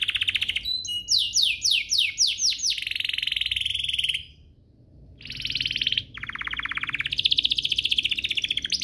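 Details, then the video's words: Song of a canary, played to set other canaries singing: a stuttered run of sweeping notes, a short silence, then dense buzzy trills at varying pitch. "Pancingan kenari biar gacor"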